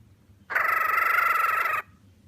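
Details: Cockatiel making happy sounds: one harsh, grating call lasting over a second, steady in pitch and loudness, then stopping abruptly. Indoors, with a faint low hum underneath.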